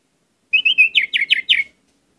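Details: Orange-headed thrush in lively song, used as a lure to trigger singing: a short phrase of level whistled notes followed by four rapid descending slurred notes, all within about a second.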